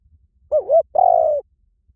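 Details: A spotted dove gives one two-part coo: a short wavering, dipping note followed by a longer, even, slightly falling mid-pitched coo, over quiet low background.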